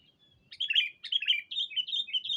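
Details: A sooty-headed bulbul lure sound for attracting a rival bird: two fast phrases of chattering, liquid warbles, the second running on with rising notes and cut off at the end.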